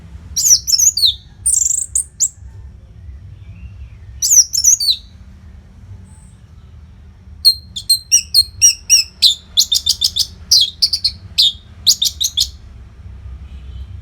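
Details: Masteran of the orange-headed thrush, non-stop song for training fighter birds: scratchy high phrases at first, a quiet gap, then a long fast series of sharp repeated chirps and whistles, about three per second.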